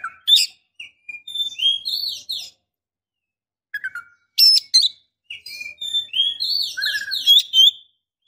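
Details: Female Oriental magpie-robin in breeding condition calling a male: varied whistled phrases with quick downslurred notes, a pause, then a harsh burst and a rich run of rising and falling whistles.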